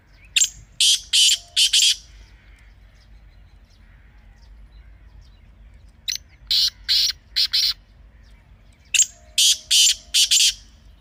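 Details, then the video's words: Partridge calls, loud harsh buzzy bursts in three groups of three or four rapid notes separated by pauses of a few seconds, with a low steady background hum. "Teetar Ki Awaz"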